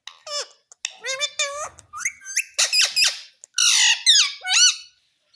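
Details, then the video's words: Talking pet parrot repeating "mummy": a run of shrill, nasal, voice-like syllables with sharply rising and falling pitch, some short and clipped, others drawn out, coming in quick uneven bursts. "मिट्ठू बोल रहा है मम्मी मम्मी"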